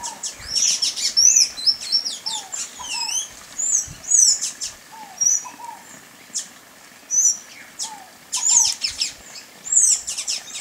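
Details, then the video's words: Sayaca tanager twittering in squeaky, high slurred notes, a fast busy run early on then separate bursts, with lower down-slurred whistles repeating and other small birds chirping nearby. "SANHAÇO-CINZENTO (THRAUPIS SAYACA), SAYACA TANAGER, PIPIRA-AZUL, Sanhaço-do-mamoeiro, Sanhaço-azul."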